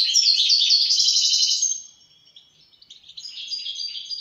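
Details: European goldfinch delivering a loud, rapid, liquid twitter for under two seconds, followed by a softer stretch of high tinkling notes.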